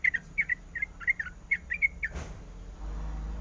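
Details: Sooty-headed bulbul female calling for a male: quick, rhythmic chirps in uneven pairs for about two seconds, then a thump and a steady low rumble replace the calls.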